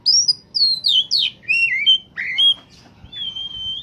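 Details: Oriental magpie-robin singing in peak form, used as a lure for wild-caught birds: a fast run of varied high whistles, sweeping slurs and sharp chirps, ending in a long, thin level whistle.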